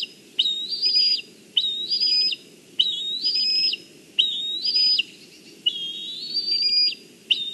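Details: Young black kite in Kurzeme, Latvia, on 14 July 2023, calling from a branch while the mother brings fish, yet it does not go to feed. Almost continuous series of shrill, quavering whistles, about six cries, each roughly a second long with short gaps.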